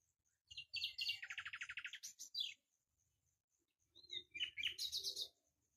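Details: A common nightingale sings two rich phrases, each opening with high whistles and breaking into a fast, rattling trill of repeated notes, with a short pause between.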